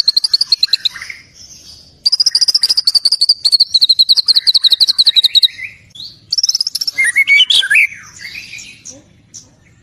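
White-rumped shama in full song: long runs of fast, high, chattering notes, then a pause and a varied burst of whistles, trills and borrowed phrases.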